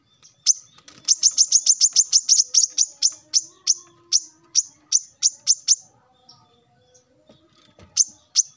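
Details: Male plain-throated sunbird singing in the morning to call rivals: a long fast series of sharp high chips that gradually slows and spaces out, a quiet gap, then two final notes.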